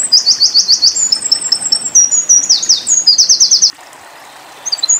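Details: Shrill, rapid trilling of a Eurasian wren, a tembakan-style tutor song for young white-eyes, running about three and a half seconds before falling silent, with a few faint notes near the end.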